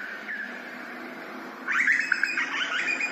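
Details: Grey butcherbird in Australia, captured with ambisonic surround sound: after a steady tonal drone, a quick flurry of bright warbled and fluted notes bursts in midway and carries on with short varied phrases to the end.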